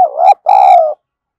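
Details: Spotted dove kept as a lure bird for wild doves, thổ voice style: a wavering first coo that rises, a short pause, then a longer rich steady coo easing slightly downward.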